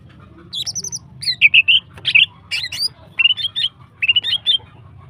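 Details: Female greater green leafbird in long, lively song meant to excite other birds: a near-continuous string of quick trilled and warbled whistles, some very high, over a constant low hum.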